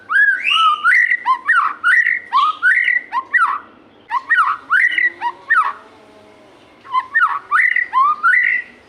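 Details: White-rumped shama in full song, used to coax captive shamas into singing: loud, rapid, repeated upslurred whistles in bursts of about ten notes, broken by a brief quieter pause.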